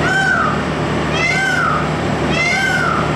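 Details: A male Indian peafowl displaying at a CNG station in Kohat gives loud, wailing, nasal screams that rise then fall, three in quick succession about a second apart, over the station compressor's steady low hum.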